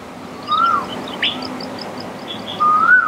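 Black-collared starling giving two loud, clear whistles about two seconds apart, each gliding slightly upward, with a brief harsh note between and faint high chips from other birds.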